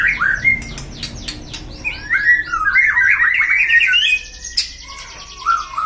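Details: Pet white-rumped shama in a cage, agitated to build its fighting mentality. It opens with sharp whistles and clicks, then a long rapid warbling trill, followed by quieter slurred notes, over a faint background hum.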